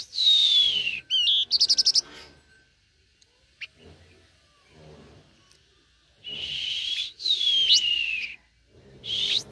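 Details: A very tame blue-winged minla gives long, loud, descending whistles and a rapid run of clipped high notes. Quieter low sounds fill a pause in the middle.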